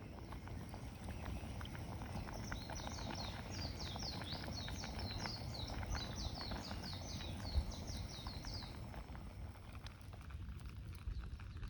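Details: Japanese bush warbler singing in a Tokyo forest park in late April 2022 during rain. It gives a fast run of about a dozen high, sharp, repeated notes that starts and ends abruptly, over a steady low roar of rain.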